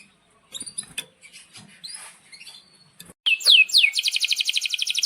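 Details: Canary song used to teach young canaries: scattered soft chirps and noises at first, then a sudden loud cascade of descending sweeps running into a fast, even trill.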